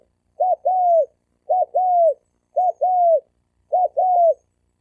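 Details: Wild male spotted dove challenge call for provoking fights: four steady two-note coos about a second apart, each a short clipped coo leading into a longer, gently falling one, clear and unaccompanied.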